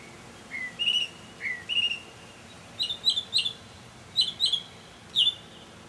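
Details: Early-evening mockingbird song from May 2007: a pair of clear rising whistles, then bursts of sharp, doubled and tripled chip notes.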